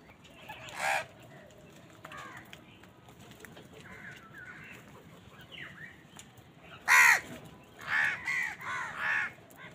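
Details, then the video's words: Crows on a winter morning squabbling over food: scattered distant caws, then one loud raucous caw followed by a quick series of three harsh calls, with quieter background calling. "Many Crows crowing sounds and noises on a winter morning"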